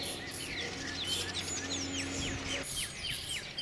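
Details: Common redstart song: thin high whistles and slurred notes at varying pitch, ending in a rapid chain of downward-curving chirps, over a low steady hum.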